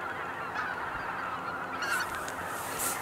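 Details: Many cackling geese at Kejonuma, Japan, giving a thick wall of high, squeaky honks, with short hissing bursts of noise breaking in during the last second.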